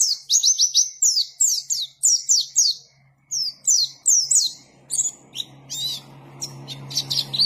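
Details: White-eye (pleci), singing vigorously: rapid series of high, thin, down-slurred whistled notes in bursts, several per second, with short pauses; a faint low steady hum underneath in the second half.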